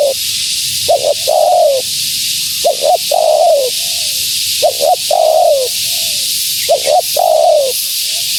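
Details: Female spotted dove call meant to attract wild doves, heard as four phrases. Each is two clipped hoots leading into a long coo that sags in pitch, with a soft trailing note after some phrases, over steady hiss.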